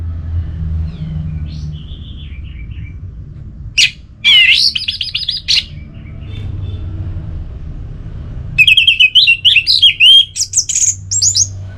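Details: The orange-headed thrush gives scattered soft notes, then a sharp burst of song, then a long lively stretch of rapid, varied whistles and chatter near the end.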